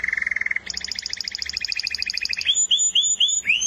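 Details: Canary song with a low, rapid buzzy trill, then a doubled higher rolling trill, and finally a few loud upward-slurred whistles repeated about every third of a second.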